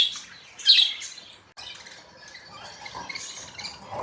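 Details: Morning chirping from pet budgies: one loud grating squawk early on, followed by a steady jumble of quieter warbling chatter.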